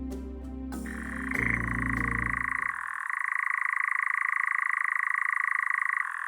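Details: A Eurasian nightjar's steady, mechanical churr at dusk in open woodland or heathland, a rapid unbroken trill like a distant engine, a call that can last minutes and serves territory and mate attraction; low background music fades out at first.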